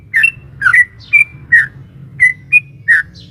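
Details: Sooty-headed bulbul, female calling male, in 'ropel panjang' long-song style used to make a caged bird respond: bubbly double notes and clear slurred whistles in an uneven run, low humming noise underneath.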